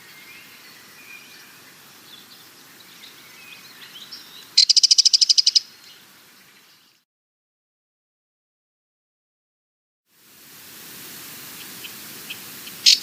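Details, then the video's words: A Sardinian warbler gives a single harsh, rapid rattling burst of about ten dry notes over a background hiss and faint distant bird notes, followed by a silent gap and a brief sharp note at the end. "Sardinian Warbler - Calls"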